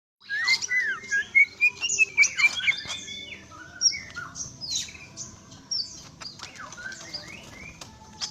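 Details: Greater green leafbird singing a varied run of whistled slurs and chirps, some rising, some falling, mixed with sharp high ticks, in a fast, uneven sequence; a faint low hum runs beneath.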